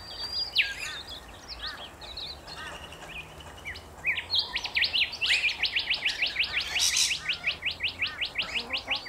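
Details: Rainbow lorikeets in Australia: a few scattered high chirps, then a fast run of sharp, shrill, evenly spaced notes over several seconds, high-pitched chattering with a faint murmur in the background.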